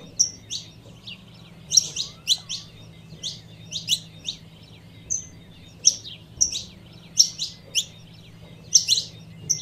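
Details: Female saffron finch calling to warm up the male, with dense bright chirps and thin high whistles in quick irregular runs, faint low hum in the background.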